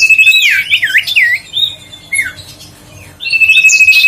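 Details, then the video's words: Huyt co bird song to rouse lazy birds into singing: rapid looping slurred whistles, a brief quiet spell with one downslurred note, then a strong sustained pulsed whistle. "tiếng chim huyt co siêu sang chảnh//giọng nói để tăng ham muốn chim huyt co"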